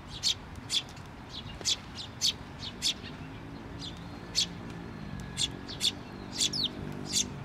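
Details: Young bird calling on a post at a Tenmangu shrine, 16 May 2023, as a parent returns; rapid, high, piercing chirps through seven seconds, sometimes doubled, with a low steady hum underneath.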